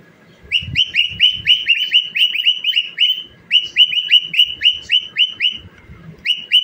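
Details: Singing cockatiel, dancing as it goes, repeats short upswept whistles rapidly, close to four per second, in runs broken by a brief silence; soft thuds below.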